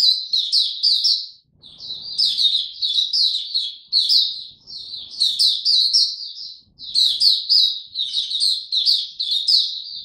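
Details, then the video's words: Repeated phrases of quick, high twittering from a captive Oriental white-eye, four bursts of about one to two seconds each separated by short pauses, recorded January 2022. "Mata Puteh Dagger ramp up form buka tiong aw sing"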